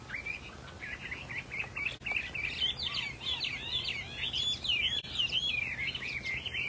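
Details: Caged Chinese hwamei, a rare prized songbird, pouring out a continuous, tumbling stream of bright whistles, trills and quick rising and falling slurs, building in intensity, faint low hum beneath.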